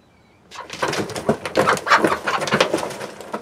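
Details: Chickens in a backyard flock of hens and Rhode Island Red roosters, close and loud: a dense run of throaty clucks and squawks starting after half a second of quiet, irregular and overlapping.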